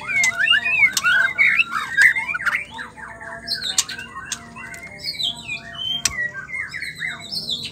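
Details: A female white-rumped shama pours out rapid harsh squawks and squeaky, twisting whistles in irregular bursts, a song said to prompt males to sing. Occasional sharp clicks sound over low hum.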